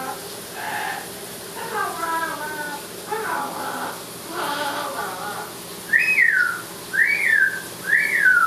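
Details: Amazon parrot talking in the shower: several speech-like harmonic phrases in the first half, then three loud rising-and-falling whistled notes about one second apart.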